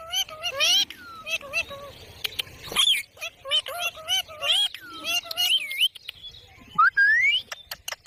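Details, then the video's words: Talking parrot producing a fast, varied stream of voice-like, wavering syllables mixed with clicks and rising whistles. The phrases come in quick bursts that carry on almost without a pause. "Amazing Parrot Talking Video HD Parrot Voice| Mian Mitthu Ki Awaaz"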